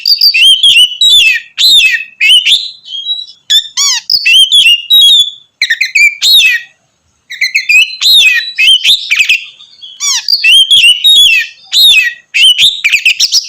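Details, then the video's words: Oriental magpie-robin in loud, sustained gacor song to provoke other magpie-robins; clusters of rapid high chirps and slurred whistles separated by short pauses, with a few lower ringing notes mixed in. "kacer ngeplong gacor mancing emosi kacer lain"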